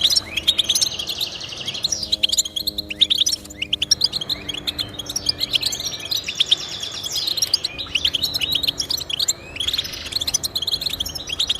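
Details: European goldfinch chattering song to encourage pet goldfinches: bright, fast chirps and buzzy trills in bursts, with faint steady low tones heard in the background early on.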